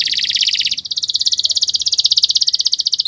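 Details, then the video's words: Canary singing continuously, recorded as a master for training birds: a shrill, dense trill that shifts abruptly to a slightly higher, very rapid pulsing roll of even beats. "Kicau Burung Kenari 178 II LUAR BIASA GACOR PANJANG"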